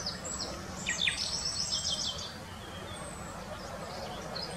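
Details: Common nightingale singing at Wittlich in 2020: a burst of fast, high chattering and trilled notes lasting about two seconds, then fading to quiet background hiss with a few faint distant chirps.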